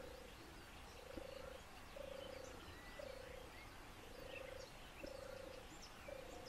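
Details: European turtle dove, a seriously endangered bird of Lower Silesia, Poland, with 14 individuals and five nests over four square kilometres, purring in low burred phrases roughly once a second, seven in a row, over faint distant birdsong.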